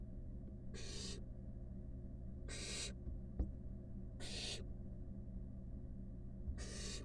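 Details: Wild barn owl nestlings, five huddled together inside a camera-monitored nest box, give four rasping, noisy hisses spaced about 1.7 seconds apart, with a faint click and a constant low electrical hum behind.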